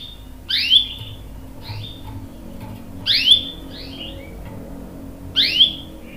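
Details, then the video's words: Canary calling, with young males prompted to answer; three short bursts of sharp downswept chirps roughly two seconds apart, quiet indoor hum between them. "KENARI GACOR cuit cuit NGEROL bikin PAUD ikut NYAUT jadi BUNYI | CANARY SINGING"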